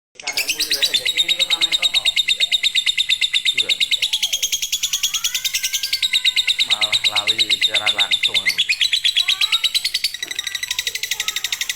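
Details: Lovebird in fighter, konslet-style singing, used as a master to prompt birds reluctant to sing: a long, fast, continuous rattling chatter of sharp high notes, about three per second, with human voices talking briefly in the middle.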